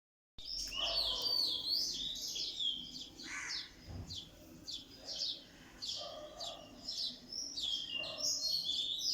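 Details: Birds chirping in the morning: a dense chorus of quick, high twittering notes and short whistled chirps, many overlapping, with a few lower harsher calls near the middle and a faint background hiss.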